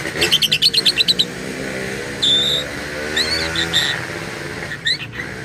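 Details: Lovebird uttering odd, speech-like sounds: a rapid run of about nine pulsed high notes, then two drawn-out whistled tones and a final rasping burst, all over a low background drone.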